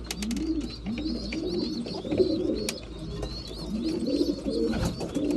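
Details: Several breeding pigeons at mealtime give low, rounded cooing notes that swell and fall in overlapping arcs, while thin high squeaky chirps repeat steadily above them.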